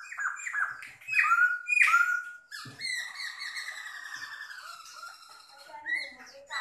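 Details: Caged Chinese hwamei singing indoors: a varied run of whistled notes, several sharp rising and falling slurs, then a long sustained wavering whistle that slowly drops and fades, with brief rough notes in between.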